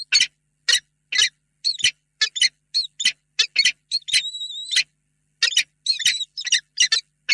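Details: Male and female peregrine falcons meet for a long, tender reunion in a nest box at Reda, late afternoon, 28 February 2022. Loud, rasping chup notes repeat about twice a second, with a drawn-out thin whine in the middle.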